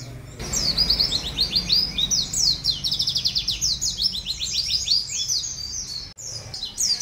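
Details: Canary recorded as a long training song for cage birds: bright, very high chirps and rapid sweeping trills repeated in quick bursts, with a brief break near the end, over a quiet low hum.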